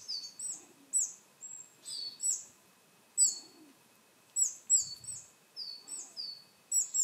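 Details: Willow tit calls, with some coal tit and varied tit voices mixed in: clusters of high, sharp chips and falling whistled notes, loud and clear, separated by short quiet gaps.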